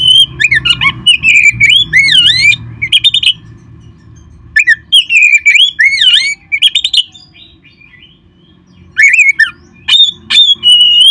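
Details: Oriental magpie-robin in full song, played to stimulate caged birds to sing: rich, varied whistled phrases with swooping rising and falling notes, in two bursts separated by a pause, over a steady low hum.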